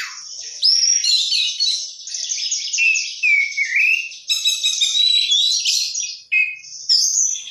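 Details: Oriental magpie-robin in full vigorous song packed with isian fill-in phrases, pouring out a continuous stream of high chattering trills, swooping whistles and rapid warbled notes with barely a break.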